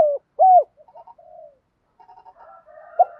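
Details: Spotted dove thúc gù cooing: two loud hollow hooked coos open, followed by soft broken murmuring notes and one short louder note near the end.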